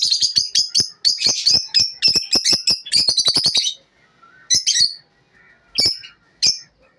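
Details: Morning lovebird chirps: rapid bursts of shrill twittering notes for several seconds, then a pause and a few isolated sharp chirps.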